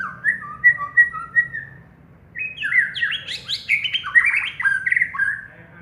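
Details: Champion contest white-rumped shama: a few clear, level whistles, a short pause, then a loud, rich burst of fast, varied warbling and slurred whistles rising and falling. The background is quiet.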